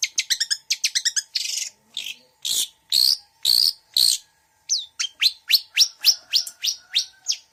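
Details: Long-tailed shrike (cendet) song with mixed mimicry: rapid stuttering ticks, loud harsh buzzy bursts, then a steady string of short, bright whistled notes.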